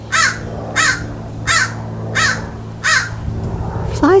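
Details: Common raven in Cheseboro and Palo Comado Canyon, Agoura Hills, California, on 15 February 2025, with foxes nearby: five harsh, hoarse caws about two-thirds of a second apart, then a short rising note, over a low hum and a voice.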